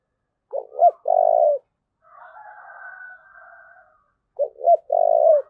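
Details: Spotted dove in thúc gù cooing, the phrase heard twice: two quick, abrupt low notes then a drawn-out, hoarse coo, separated by a quieter, steady, buzzy hum.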